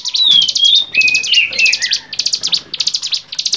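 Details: Bar-winged prinia song for training songbirds: rapid series of buzzy trilled bursts, opening with a long descending whistle and flat whistled notes, then regular short buzzes about four per second.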